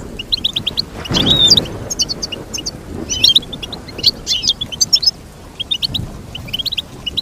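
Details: Bright, high twittering from a goldfinch, with clusters of quick chirps and trills that come in bursts and pauses, broken by a brief rustling noise near the start and another later on.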